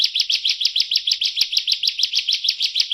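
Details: Bar-winged prinia singing a training song for competition birds: a clean, regular run of sharp, high chirps repeated rapidly and evenly, with one slightly louder note midway.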